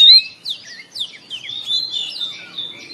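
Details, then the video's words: Oriental magpie-robin morning song opening with a loud clear whistle, followed by quick downslurred notes and a long, wavering whistled phrase. "TERAPI KACER BIKIN RAMAI OCEHAN DI PAGI HARI"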